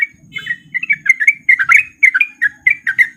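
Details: Ropel-style song of a male Sooty-headed bulbul in breeding condition, used to prompt other bulbuls to sing; quick, slightly scratchy chirps in short uneven bursts, with a low rumble behind.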